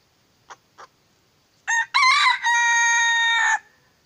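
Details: Purebred red junglefowl decoy bird, moulting and used for trapping wild junglefowl, crows loudly: a short rising note, a broken middle phrase, then a long, steady, harmonic, drawn-out ending. Two faint clucks come just before.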